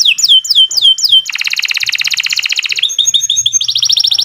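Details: Kenari Nusantara canary singing long, loud phrases meant for tutoring other birds: a few looping downslurred notes, then a dense buzzy rattle, followed by clipped whistles and a rapid high trill.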